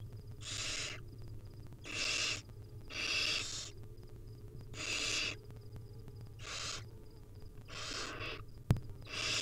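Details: Hungry wild barn owl chicks begging while their mother feeds them small morsels, recorded by a nest camera: seven rasping hissed bursts spaced about a second apart, a sharp click near the end, steady low hum beneath.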